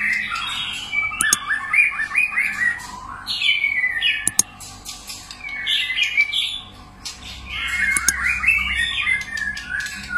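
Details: White-rumped shama singing a many-voiced song, encouraged to sing: bursts of varied whistled and chattering phrases, rising and falling, with a brief lull midway before the singing resumes, over faint background clicks and hum.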